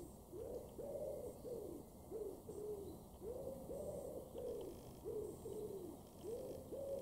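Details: Common wood pigeon in a garden in Weener, East Frisia, northwest Germany, June 2022: soft, hooting coos in rhythmic arched phrases, several notes grouped and repeated with short pauses, over steady background hum.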